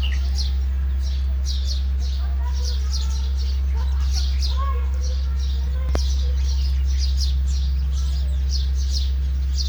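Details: Chattering sparrows around a bath, continuous quick high chirps from several birds, some lower warbled notes, a sharp click near the middle, all over constant low droning hum.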